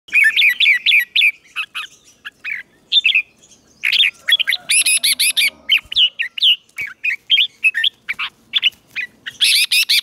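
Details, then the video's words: Red-whiskered bulbul decoy bird singing to call rival birds in to fight, in morning song training: bright, warbling phrases of quick rising and falling notes, delivered in rapid bursts with short gaps. "Chào Mào Mồi Hót Gọi Bổi Về Đấu - Luyện chào mào hót giọng chim mồi gọi hay"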